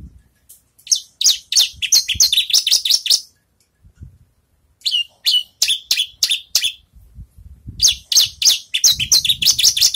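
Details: Having finished moulting, a Javan bush lark practises its song in long fast runs of high, bright chirps, with short breaks between bursts and faint low background noise.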